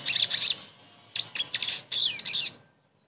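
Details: Sogon song played as a lure to coax a silent caged bird into singing again: three bursts of high, sharp chirps and twittering notes, with quick rising and falling sweeps in the last phrase, over near-silent background.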